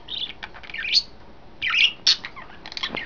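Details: Pet budgies, three in a new cage arrangement, give warbling, rising twitters, then a couple of loud, scratchy bursts before quieter chatter resumes.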